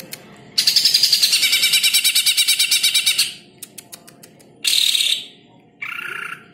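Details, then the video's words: Greater green leafbird tutoring song for training birds: a long, harsh, rapidly pulsed buzzing trill, a few sharp clicks, then two short bursts, the last lower and more tonal. "Masteran ampuh cucak ijo"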